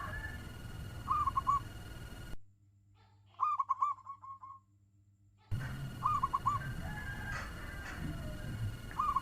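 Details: Local zebra dove kept as a lure bird, its fast-paced song meant to stir up other doves: short hooked cooing phrases near one pitch, repeated in quick bursts, the middle stretch cleaner and quieter, with steady low background hum.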